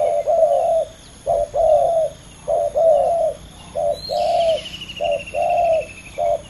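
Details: Male spotted doves in a fierce two-bird ground contest. Steady low coos alternate between a clipped note and a longer drawn note, about seven rounds in a row. A faint high trill sounds midway.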